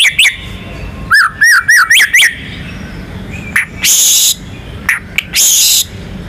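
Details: White-rumped shama, national contest champion, sings a row of five rising whistled notes, then gives a few clicks and two long harsh rasping bursts against faint background noise.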